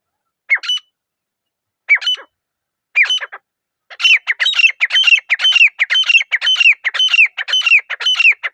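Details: Grey francolin, called teetar and described as a lively pair, in a quiet forest: three spaced harsh squawking phrases, then a fast continuous run of repeated ringing notes that speeds up, with no other sounds.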